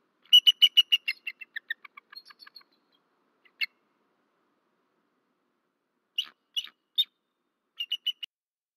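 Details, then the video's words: Bald eagle male vocalizing after midnight at a Rome, Georgia nest, March 2024: an opening rapid series of high, squeaky notes that quicken and drop in pitch, then scattered single sharp calls and a final short burst. "Berry College Eagles~Missy Gets Disturbed Just After Midnight-Wing Slaps At Something-Vocals"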